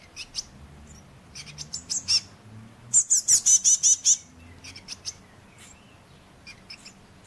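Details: Five Eurasian blue tit fledglings that had fallen out of their nest, on 31 May 2012: thin, very high-pitched calls, scattered at first, then a quick run of about seven loud shrill notes, followed by fainter sporadic peeps.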